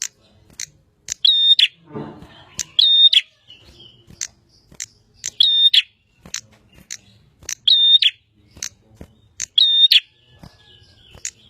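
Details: Bar-winged prinia singing steadily: five loud phrases of a held flat whistle between rasping notes, roughly every two seconds, interspersed with rapid high chips and a brief low rustle.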